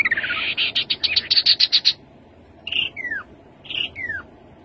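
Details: Rufous-capped babbler opening with a rapid rattling trill of about a dozen notes. It is followed by two separate calls, each a short burst dropping into a slurred descending whistle about a second apart.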